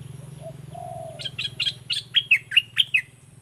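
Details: Olive-winged bulbul decoy in southern Thailand delivering a run of about eight quick, liquid, down-slurred notes after a soft low coo, over a steady low hum.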